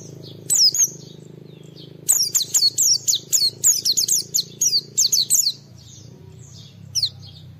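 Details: Oriental white-eye, its song used to challenge and stir other white-eyes, delivering a fast series of sharp high descending notes, about four a second, then a lone later note over steady low hum.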